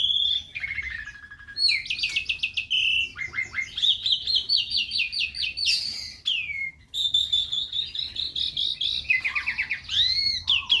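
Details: Canary singing in the morning in a small aviary: a long varied song of fast trills, rolling buzzy rattles and clear whistled notes, changing pitch from phrase to phrase with only brief pauses.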